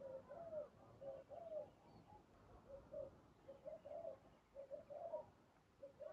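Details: Spotted dove used as a decoy in dove trapping, giving soft cooing phrases of short low hoots, several notes grouped and repeated roughly once a second, with quiet rural background.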